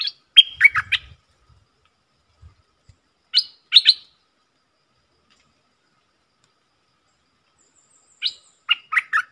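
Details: Stripe-throated bulbul decoy song: short bursts of bubbly, chirping notes in three groups, near the start, around four seconds and near the end, separated by silence.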